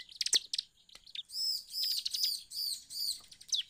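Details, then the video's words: Bar-winged prinia (ciblek) song played as a lure to set other birds singing: scattered sharp chips, then a run of high, arched, slurred notes repeated about twice a second. "PANCINGAN CIBLEK 100% EFEKTIF CEPAT MEMANCING CIBLEK LAIN IKUT GACOR/ CIBLEK GACOR"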